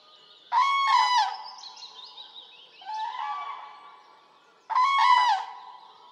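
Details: Common crane in Poland giving loud, rolling trumpeted calls rich in harmonics: two strong bursts about four seconds apart with a softer, lower call between them, against a quiet background.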